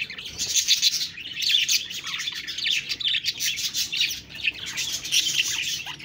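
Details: Budgerigars chirping and chattering: a dense, continuous stream of high, buzzy, warbled notes and quick tweets that overlap without pause, swelling and fading in loudness, with no other clear sounds.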